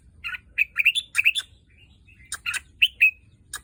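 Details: Red-whiskered bulbul, a kept bird just over a year old that sired albino and pied chicks last season, gives bright whistled phrases of short rising and falling notes in two bursts, mixed with sharp clicks, over a quiet background.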